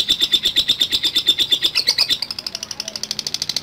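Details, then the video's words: Lovebird in long ngekek chatter, rapid evenly spaced high chattering notes, about eight per second, strong and ringing at first, then turning thinner and buzzier in the final second. "SUPER LATAH LOVE BIRD NGETIK NGEKEK DURASI PANJANG"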